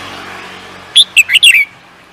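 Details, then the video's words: Competition songbird gives a single clipped phrase of four or five loud, high chirps, dropping in pitch and ending in a slightly buzzy note, after a moment of soft hiss. "The Beautiful Bird singing"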